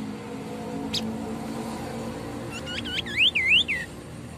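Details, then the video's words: A white-breasted babbler (Stachyris grammiceps) in full song, offered as a lure or tutor recording, gives four quick, rising whistled notes in just over a second, each faintly echoed, over a steady low rumble. "Tembakan burung sniper atau Tepus dada putih gacor"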